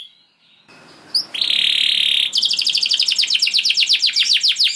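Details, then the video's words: Kenari canary in long gacor song after a brief quiet start with faint background hiss: a steady buzzing roll, then rapid repeated chipping notes about four per second. "Seketika Kenari Kondisi Apapun Akan Langsung Respon Bunyi Gacor Panjang Tanpa Nunggu Lama"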